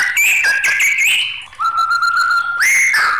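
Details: Agitated white-rumped shama giving rich fluting whistles: a warbled opening, a long level whistle held for about a second, then a sharp rising note into a bright, ringing phrase.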